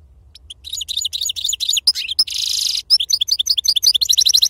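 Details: Wild-caught European goldfinch giving serfati-style song: a dense, unbroken stream of high twittering chips with a harsh buzzy passage in the middle, then quick repeated notes.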